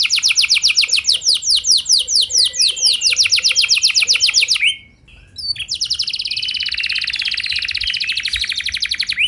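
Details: Lure recording of a singing canary to trigger other canaries: a fast roll of sharp repeated notes, a brief pause, then a dense, buzzy sustained trill.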